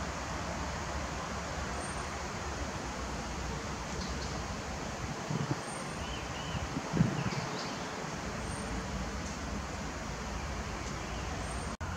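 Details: Steady low traffic rumble and rustling fill the clip, with no clear animal calls.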